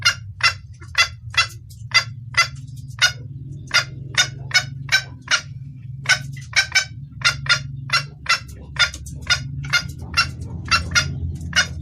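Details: Red junglefowl hen calling to attract a male: a long run of some twenty-eight sharp clucks at a steady, brisk rhythm, with a constant low hum underneath.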